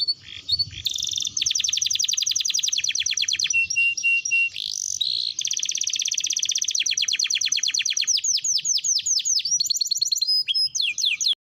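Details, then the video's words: ["A canary's song as a training lure for young canaries to begin singing quickly: varied high tours, including rapid chattering trills, a clear held whistle, and fast sequences of downward-sweeping notes in a nearly continuous stream."] "Pancingan kenari belajar bunyi | Pancingan burung kenari paud agar cepat bunyi"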